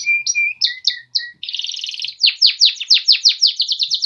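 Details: Polish male canaries in song: a few clear whistled notes, then a dense buzzy trill, followed by a steady run of loud downward-sweeping notes, about four per second.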